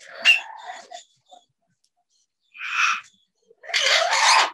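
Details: Parrots exchanging vocal sounds, possibly English words. A sharp squeaky note is followed by a pause, then two loud raspy screeches, the last one long.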